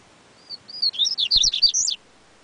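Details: Yellow-bellied seedeater singing one quick, sweet phrase: two thin whistles lead into a rapid run of sliding, high-pitched notes lasting about a second, with faint clicks beneath.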